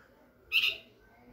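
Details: A juvenile red-vented bulbul (Pycnonotus cafer) calling its parents gives a single harsh, buzzy begging chirp lasting about a third of a second, over quiet background hiss.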